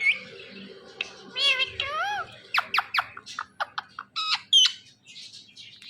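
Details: Pet Indian ringneck parakeet talking indoors: wavering, harmonic meow-like imitations, then a run of short sharp squawks and clipped chirps in a small room.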